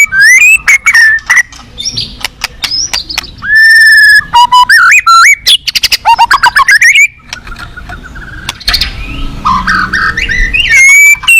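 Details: White-rumped shama singing at a contest hanging pole, its song packed with mimicked fill-ins: fast clicks, sliding whistles, trilled phrases and a long steady whistle, then softer chatter before loud upward whistles return.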